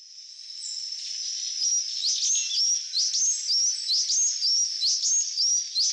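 Buff-tailed sicklebill giving thin, very high squeaky notes, repeated about once a second, each with a quick up-and-down sweep, over a steady high insect-like whine.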